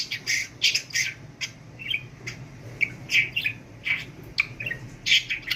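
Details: Budgerigar trained to talk keeps up a run of harsh clicks, squawky syllables and warbled notes in uneven bursts, indoors with a low hum behind it.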